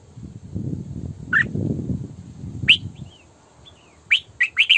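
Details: Singing in the 'sổ bọng căng' style, a female red-whiskered bulbul used as a decoy gives scattered bright whistled notes and short slurred phrases, at first over a loud low rumbling noise, ending in a rapid cluster of clear chirps.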